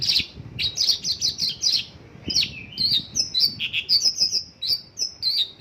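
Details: Local-bird phrases in the isian lokalan song of a Mongolian lark: a quick series of high chirps, then a run of thin, evenly spaced whistled notes with occasional lower buzzy calls.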